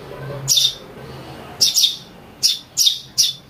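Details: Eurasian tree sparrow chick calling, a sound played to lure birds and to tutor songbirds: sharp, high, harsh chirps in five bursts over three and a half seconds, one doubled, with pauses between them and faint low room hum.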